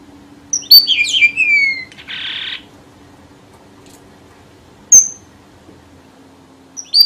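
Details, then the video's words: Red avadavat lure song: tangled, high notes sliding downward, then a brief buzzy rasp, followed after a pause by isolated sharp chips. "TIẾNG CHIM HOA MAI ĐỎ MỒI CHUẨN"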